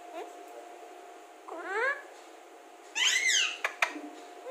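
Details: Alexandrine parakeet speaking: a stacked, rising voice-like phrase, then a loud harsh drawn-out utterance with falling tones, followed by two sharp clicks, over a low constant hum.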